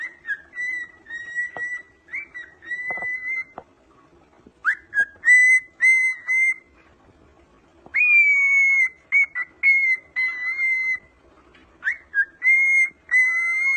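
A cockatiel gives clear, steady whistled notes in short bursts with brief pauses between.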